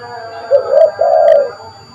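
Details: Spotted dove calling actively, a call used to lure birds: one soft, low cooing phrase of a short note and then a longer drawn-out coo, with faint background hum.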